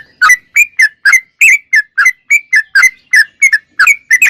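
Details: Sooty-headed bulbul in continuous, lively song, described as clear and natural: a rapid run of short, bubbly whistled notes, roughly three each second, each dipping and rising in pitch, with a quiet, clean background.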